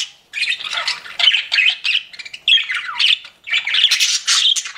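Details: Pet budgies give grouped bursts of squawky warbling, including a few rising and falling whistled slurs, separated by short silences.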